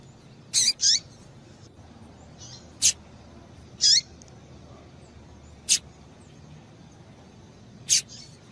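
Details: Female Double-collared seedeater calling to stimulate the male: short, high, thin chirps, some sharp and clipped, others slurring downward, spaced irregularly one to two seconds apart, including a quick double note, over a faint low background hiss.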